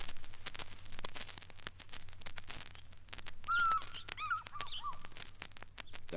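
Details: Hartlaub's turaco in East Africa gives its oddly harsh call, a rasping run of rapid croaking notes over a low rumble, with a few brief thin whistles from another bird.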